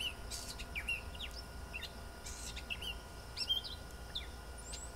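A catbird gives a quick jumble of short, varied chirps and squeaky notes with a few harsh bursts, over steady low background rumble.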